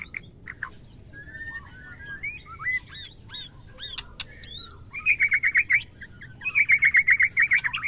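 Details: Female white-rumped shama vocalizing to stimulate males to mate: varied whistled and slurred notes, then fast rattling trills of rapid repeated notes around the middle of the clip and again near the end.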